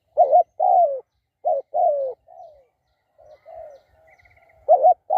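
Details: Spotted dove cooing in clear, mellow phrases: short hooked coos and longer descending coos in irregular bursts, with a few softer, quieter coos between louder ones and a faint high trill midway; no other notable sounds.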